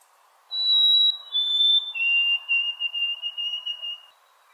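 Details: White-throated Sparrow song recorded early in the morning in New Jersey, played back indoors during a lecture: a clear whistled phrase of long pure notes, a high note followed by a lower one and then drawn-out lower whistles, with faint room hum underneath.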